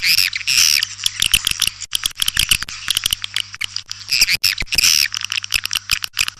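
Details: Call used to lure white-nest swiftlets: dense rattling clicks alternating with high, wavering twitters and brief buzzy trills, with a faint low mains hum throughout.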